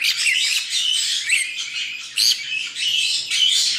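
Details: Nine baby white-bellied caiques chatter in an aviary near Dallas, Texas, grating squawks arriving in short bursts about every half second, with thin whistles laced through.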